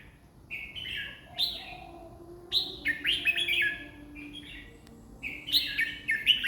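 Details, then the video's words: Red-whiskered bulbul singing, said to manage 20 phrases per minute: short clear whistled notes lead into a rich, jumbled warbling phrase, then another burst after a pause, with a low electrical hum beneath. "ร้อง 20ดอก ใน1นาที"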